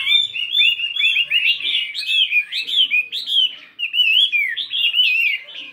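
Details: Chinese hwamei, a 72-gram fighting bird, practising its varied song in the morning: a continuous, rich stream of loud whistled and slurred phrases, constantly changing pitch, with barely any pause throughout.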